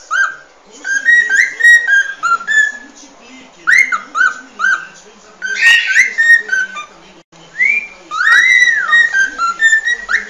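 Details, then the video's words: Cockatiel whistling a song meant to train a cockatiel to sing: bursts of quick upward-slurred whistles with occasional harsher notes and short pauses between phrases. "Aprenda Como Ensinar a Calopsita a Cantar 🐦 Calopsita Treinamento"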